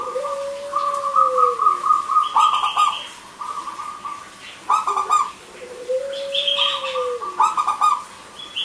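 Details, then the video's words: A local perkutut, or zebra dove, in lively crystal-toned song meant to coax quiet male and female doves. Pulsing rolled coo phrases recur with a drawn-out lower whistle and higher chirping notes heard in the gaps. "Perkutut Lokal Gacor,Suara Kristal Untuk Pancingan Yang Macet Bunyi Jantan Dan Betina."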